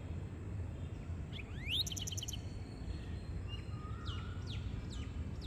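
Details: Large pied wagtail in India, singing and calling: a sharp upward-sweeping chirp with a quick buzzy rattle, then a short flat whistle and several thin, high descending notes over steady low background rumble.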